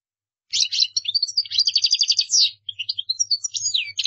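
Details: Qdara-style song of a European goldfinch for young birds to learn from; a continuous stream of quick chattering notes, a dense buzzy trill and twisting high whistles, nearly without break.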